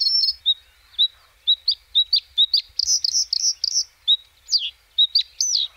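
A White-spotted bluethroat sings a quick, high run of clipped, repeated chirps that builds into louder, varied ringing and buzzy phrases, with no other sounds intruding.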